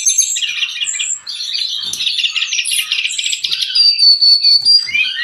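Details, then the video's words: Energetic song of a Brown-chested jungle flycatcher, meant for training and prompting cage birds; buzzy trills and chattering notes repeat quickly, ending with a long thin high whistle and upward slurs. "Suara burung sikatan rimba"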